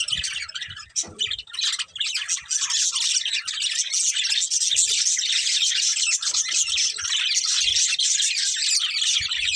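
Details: Budgerigars, a colourful breeding pair, give dense continuous high chirping and warbling chatter with scratchy squawks, filling nearly ten seconds with little pause and a few low thumps.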